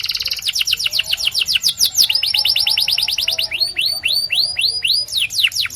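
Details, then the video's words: Singing white canary running through fast falling trills and a rapid rattle. Then comes a series of clear rising whistled notes repeated at an even pace. "The Best White Canary's Singing"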